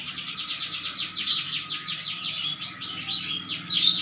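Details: Canary in full song, a fast continuous series of high, steeply falling trilled notes repeated many times per second, bright and loud throughout, ending in a sharper whistled flourish.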